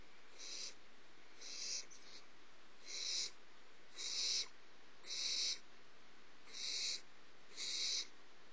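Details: Young barn owlets at Starr Ranch, very active in their nest box early in the morning of 30 March 2011, give harsh, breathy hisses, each about half a second long, about once a second.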